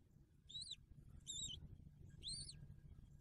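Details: Bald eagle at its nest on 9 December 2022, a day after the first eaglet hatched, during feedings: three thin, high squealing whistles with an arched pitch, spaced about a second apart, over a low rumbling background.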